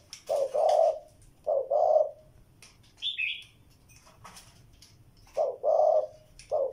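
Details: Spotted dove giving scattered low coo phrases, each a short note leading into a longer rough coo, with a long pause in the middle and a brief high chirp from another bird.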